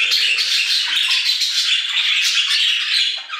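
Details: Flock of budgerigars in an aviary, a dense and unbroken chatter of overlapping high warbles, squeaks and chirps at a steady loudness throughout.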